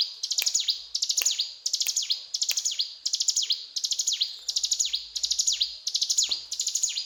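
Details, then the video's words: Mountain tailorbird delivering steady 'gacor cetrakan' song: about ten evenly spaced bursts of rapid high clicks, each closing with a steep downward sweep, roughly one phrase every 0.7 seconds. "Burung Ciblek Gunung Gacor Cetrakan"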